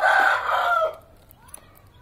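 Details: Pet, hand-tamed black francolin (kala teetar) from Pakistan calling: a loud, harsh, grating burst lasting under a second with broad noisy energy, then fading to quiet background with faint traces.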